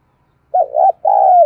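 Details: Spotted dove cooing, a lure song meant to stir wild doves into answering: a short, throaty phrase of low, rolling coo notes, a brief pause, then a longer sustained coo that fades slightly at the end.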